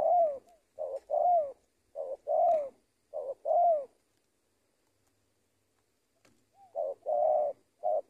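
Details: Spotted dove (tekukur), a trained lure bird from Indonesia. It gives low cooing phrases: a short note, then a longer, slightly falling coo, repeated about once a second. A silent pause follows before the cooing resumes.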